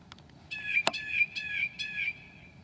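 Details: Northern mockingbird at night in July 2008, a mimic: a short harsh, squawky run of four raspy notes with a whistled thread through it, after a sharp click.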